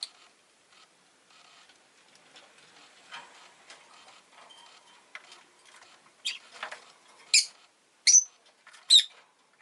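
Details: Rosy-faced lovebird at home after an egg was laid: faint rustling and soft noises at first, then a run of five loud, sharp, raspy chirps about a second apart toward the end.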